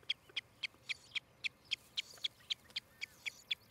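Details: Osprey calling at its nest in Charlo, Montana, on a nest camera, morning of 14 July 2018: a fast, steady series of sharp, high whistled chirps, roughly four per second, loud and clear over a quiet background.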